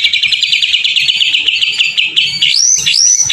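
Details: Energetic white-rumped shama song used as a lure for other shamas: a rapid, even stuttering trill of high notes for two seconds, followed by looping high upslurred whistles.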